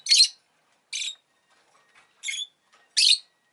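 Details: ['Four short, scratchy chirps from a pet rosy-faced lovebird, spaced roughly every second, in otherwise quiet surroundings.']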